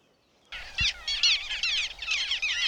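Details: Little gull, an unexpected record on 20 June by the Vistula near Błotnik, Poland. A passing flock gives a dense, overlapping chatter of short nasal calls, then after a brief silence a single low thump is heard.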